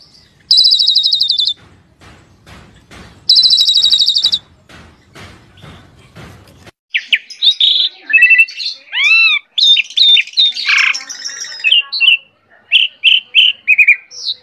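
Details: Asian pied starling in vigorous song (gacor), beginning after two loud high buzzy bursts and faint low noise: varied arched whistles, squeaks and chattering notes fill the second half.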